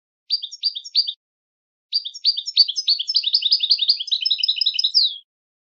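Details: Goldfinch song for teaching goldfinches. A short group of three sharp repeated chirps, a pause, then a long, accelerating twittering chatter that ends in a downslurred note. Clean background.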